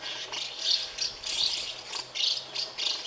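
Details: House martin chicks, Delichon urbicum, in a colony of thirty nests, hungry and being fed by their parents; bursts of high, raspy twittering chatter rise and fall about every half second, with no other clear sounds.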